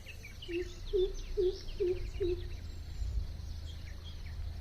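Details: A greater coucal, described as a rare visitor to a house, gives five deep, hollow hoots at about two per second over a low rumble, with faint chirps from other birds.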